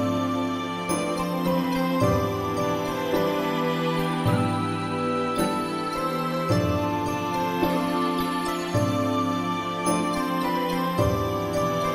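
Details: Instrumental background music with a steady beat, bell-like jingling tones and sustained chords plays throughout; no animal sounds are heard.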